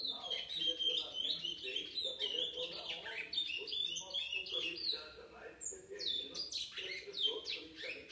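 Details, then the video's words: Seven-month-old chestnut-bellied seed finch singing a run of sweet whistled notes, some sliding upward and some falling. A faint low background hum, like distant voices, runs throughout. "Curió Pardo - 7 meses"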